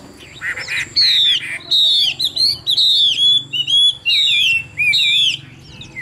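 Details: A caged Chinese hwamei in Vietnam, noted for its good voice, delivers loud, ringing whistled phrases that slide downward, about six bursts in six seconds separated by short silences.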